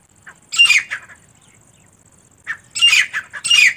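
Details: Female teetar partridge uttering loud, hoarse squawks, a pair of bursts, a pause of over a second, then another quick loud run of harsh notes.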